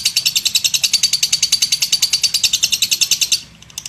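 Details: Long ngekek chatter from a lovebird: quick, evenly spaced shrill notes pour out for about three and a half seconds, then stop abruptly, leaving a few faint notes.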